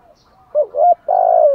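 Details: One spotted dove phrase in the thúc gù manner for luring wild doves: a short hoot, a rising-falling hoot, then a sustained low coo that sinks at its end.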